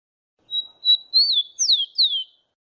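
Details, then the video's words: Rufous-collared sparrow (tico-tico, Zonotrichia capensis) singing a short phrase: two level whistled notes, a longer wavering whistle, then two clear downslurred whistles, lasting about two seconds, with no other sounds. "Canto de Tico Tico - A forgotten song canto de tico tico"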